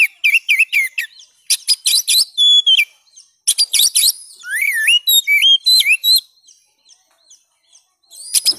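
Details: Oriental magpie-robin singing a varied, almost continuous string of clear whistled notes, quick chirps and rising-falling slurs, recorded as song material for caged-bird training; a short lull near the end before new notes.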